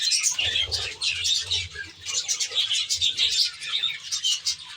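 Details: Budgerigar flock in an aviary chattering loudly, bursts of shrill squeaks and twitters pulsing roughly every half second toward the end, over a low background hum.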